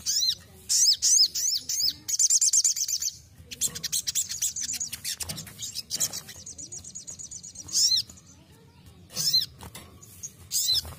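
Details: Ruby-cheeked sunbird basic training song: high, sharp arched chirps and slurred notes, a buzzy rapid trill, then a long thin sustained high trill and scattered chirps, with pauses between phrases.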